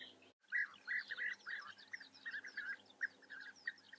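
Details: European bee-eaters in the Eifel, Germany, giving a rapid series of short, rolling, burry notes, about three per second, bunched in quick bursts, with a faint steady low hum beneath.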